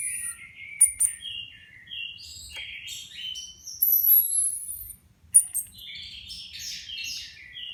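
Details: Four caged Orange-headed Thrushes, freshly moulted with new feathers, placed together for a few minutes to judge readiness for renewed contest training; varied whistled phrases jump between mid and high pitches, interspersed with thin, very high drawn-out whistles.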